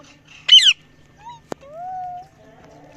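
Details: A parrot making different noises gives one loud harsh squawk, then a soft short whistle, a sharp click and a long, smooth, slightly rising whistled note, with a steady hum behind.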